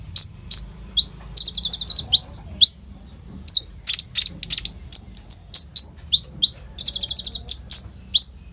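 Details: Lively kept olive-backed sunbird, phone-recorded, singing a varied song full of imitations and rolls meant to coax untrained sunbirds; rising thin whistles, bursts of rapid buzzy trills and scattered sharp chips over faint hum.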